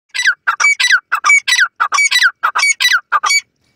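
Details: Japanese quail (Coturnix japonica) chicks playing in forest: rapid series of harsh, squawky chattering notes, about fifteen clustered bursts in under four seconds, loud and close with no other sounds.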